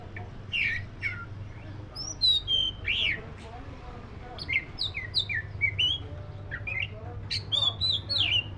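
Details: Oriental magpie-robin with a black breast delivering a varied song of rich whistles, slurred notes and quick chirp series, pausing briefly midway, over a steady low-pitched hum.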